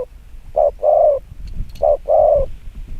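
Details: Spotted dove used to lure wild doves, cooing fast, two phrases each of a short note and a longer warm falling coo, light background rustle.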